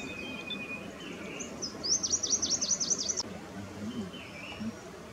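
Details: Chinese babax at Erdaoqiao, Sichuan: a quick run of about eight high, sharp, down-slurred notes delivered in a rapid burst, with softer scattered chirps before and after over a steady background hiss.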